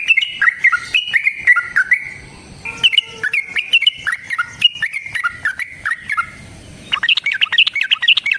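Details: Sooty-headed bulbul singing a long rapid-fire fighting song: repeated bursts of slurred, falling chattery notes in quick succession, ending in a fast, high, jumbled trill.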